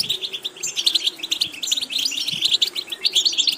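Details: Goldfinch in training for varied, attractive repetitions; a continuous fast chatter of short bright chips and twitters, evenly packed throughout, with a faint constant hum underneath.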